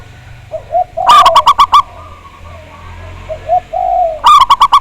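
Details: Local zebra dove from Java with a big voice, used as a lure to trigger singing. A quick series of loud, bright staccato notes, low rolling coos in between, and then another rapid ringing run.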